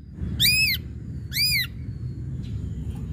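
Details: Two loud, arched, ringing whistles about a second apart from an ashy drongo on a lure recording for provoking other birds to sing, with steady low background hum.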